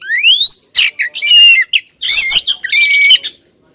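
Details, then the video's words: Insistent female Oriental magpie-robin provoking a male opens with a long rising whistle, then runs straight into a busy mix of warbled notes, buzzy rasps and fluttering trills. "suara kacer betina ngotot bikin si jantan konslet"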